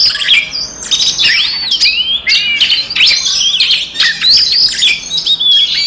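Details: Provoking fighting song of an Oriental magpie-robin, used to stir rival magpie-robins: energetic string of looping whistles, upward slurs and crisp clicks, delivered almost without a break.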